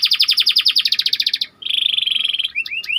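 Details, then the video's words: Canary song used as bait for training, opening with a rapid pulsed trill that stops briefly, followed by a dense buzzy rattle and a few short upward whistles at the end. "Burung Kenari Ngerol Rapat 🔻 Cocok Untuk Masteran"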